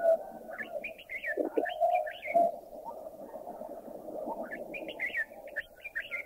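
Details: Red-whiskered Bulbul in Thailand giving short bursts of bubbling, warbled notes in two phrases, over a constant low droning background hum.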